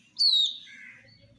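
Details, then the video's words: Domestic chicks drinking water, one loud descending whistled peep sliding from high to mid pitch, followed by a softer lower chirp trailing off; faint low background hum. "Silly Chicks Chirping Sounds With Murgi Hen colored Chicken are drinking water"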